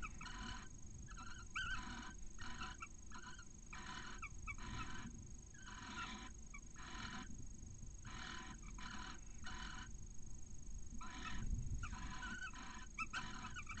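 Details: Barn owl pair at their nest in Cabañeros National Park, Spain, the male delivering a mouse and attempting to mate soon after a chick hatches. Repeated grouped chittering calls, nasal and harmonic, return steadily throughout over a low droning hum.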